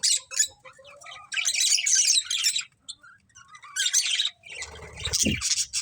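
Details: Two budgerigars, a breeding pair kept as pets, give bursts of harsh, buzzy chirps and squawks separated by brief quieter gaps. A short low rising noise sounds near the end.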